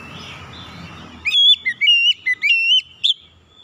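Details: Oriental magpie-robin in loud, energetic song, used to coax untrained birds into singing: after a stretch of low rumbling background, a rapid run of piercing whistled notes, some flat, some sweeping up or down, then a final fading note.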